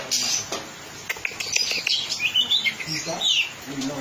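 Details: Oriental magpie-robin in full song during training: high thin chirps and quick whistled sweeps, some rising then falling, in a busy, varied string, with faint background noise.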